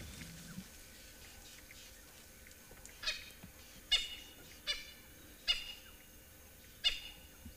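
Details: A francolin, heard during a sunrise drive in a private game reserve in South Africa on 18 April 2024 while tracking a male lion, gives harsh, grating cackles, five bursts about one second apart, over a low engine hum.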